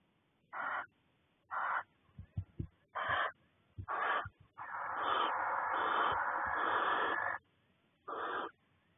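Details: In February a male barn owl in a nest box, bringing a freshly caught vole to court his mate before laying, gives harsh, breathy hisses in short bursts about once a second, then one long hiss, with soft knocks and scuffles.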